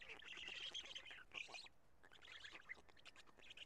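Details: Black storks at the nest in Karula, Estonia, evening of 2 June 2017, during a changeover and feeding; scratchy, squealing wheeze bursts, one long then several shorter and choppier, over light background noise.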